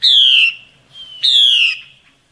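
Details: Female Hwamei in forest calling to draw males during breeding season, giving two loud rich downslurred whistles about a second apart with a thin quiet note between them.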